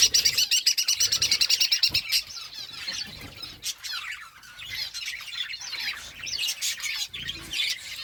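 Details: Parakeet chirping while eating fruit: rapid run of sharp repeated chirps in the first two seconds, then busy warbling, scratchy twittering chatter with flapping or rustling noises.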